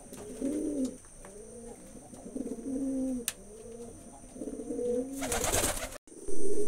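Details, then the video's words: Deep, purring coos from a group of pigeons in a small indoor space roll on in repeated swelling phrases over a low rumble. A loud rustling burst near the end briefly covers the birds. "কবুতরের ডাক || পায়রা কবুতরের ডাক Pigeon sound effect"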